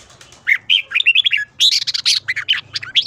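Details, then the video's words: Red-whiskered bulbul in morning song, a quick run of bright, bubbly whistled phrases rising and falling, several notes each second with brief pauses between bursts. "chào mào hót sáng"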